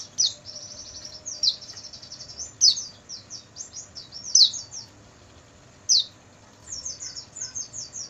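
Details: Oriental white-eye song recorded at night for training caged birds, high-pitched warbling phrases of quick descending notes, some sharp louder accents, delivered in spaced bursts over a quiet background.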